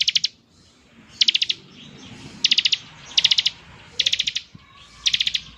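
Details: Buzzy, rapid-fire ngebren song from a Bar-winged prinia, aimed at drawing replies from other prinias: six high rattled bursts of four to five notes, about one per second, with soft background noise.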